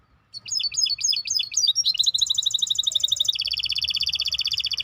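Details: Maestro bird song with a series of rapid high flicked notes, then a dense, fast trill that shifts to a slightly lower, steady rolling trill.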